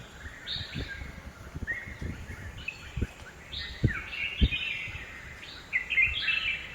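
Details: Red-whiskered bulbul in a home garden in Hosur; short whistled phrases repeated at intervals over steady background noise and low thumping sounds.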